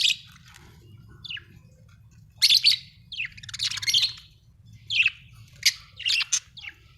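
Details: Chattering high chirps and squeaky notes from a happy budgie, scattered unevenly with a busier stretch in the middle and quick sharp tweets near the end, over a low hum.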